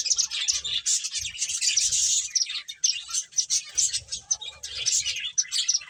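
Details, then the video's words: Lively chirping from playing finches, loud dense tweets in rapid succession with faint low thuds beneath in places. "Cute Birds Chirping Sounds | Beautiful Finches Playing"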